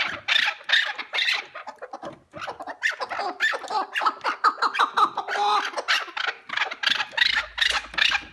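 Partridges calling together in a busy chorus: harsh, clucking chuck notes repeated in quick, uneven bursts, several birds overlapping throughout.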